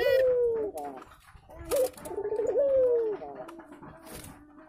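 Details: Courting spotted doves in their nest ahead of laying, giving low drawn-out coos that slide downward, a brief sharp note, then a longer rolling coo with a falling tail, with some scraping noise between.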